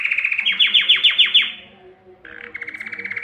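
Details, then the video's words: Singing male Belgian canary, used to excite females for breeding. A rapid series of about eight sharp, downward-sweeping notes is followed by a short gap, then a fast, even, buzzy trill. "Canário cantando para atrair fêmeas para a reprodução"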